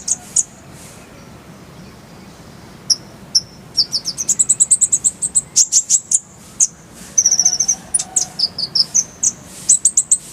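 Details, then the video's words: Konin or kolibri ninja masteran song: after sparse high chirps, a steady run of rapid piercing notes, then a jumble of twittering, stuttered trills and sharp slurred calls. "Masteran Konin_Kolibri Ninja"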